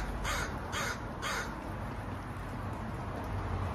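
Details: Crow giving three loud, hoarse caws about half a second apart, then quiet low-pitched background rumble.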